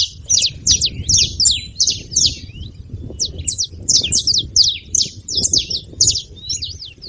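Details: Saffron finches in a group, noisy and lively: continuous run of high, bright chirps and slurred downward notes, sometimes overlapping as if from more than one bird, with a low background hum throughout.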